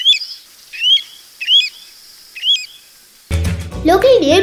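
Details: Pacific golden plover, a migratory shorebird wintering on Sri Lankan beaches and mudflats, gives four clear, high whistled calls slurring up then down, about every 0.7 seconds, then a man's voice and background music take over.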